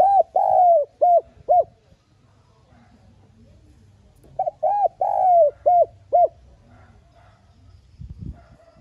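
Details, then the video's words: Spotted dove decoy cooing, a soft-voiced urging call used to stir other doves to coo: two phrases, each a pair of arched coos, one long falling drawn-out coo, then two short clipped coos, with a quiet pause between. "Tiếng Cu Gáy Mồi GỌI THÚC NHẸ GIỌNG Hạp Bổi Kích Bổi Nhanh Nổi /Cu Đất Gáy . cu cườm gáy.cu gáy"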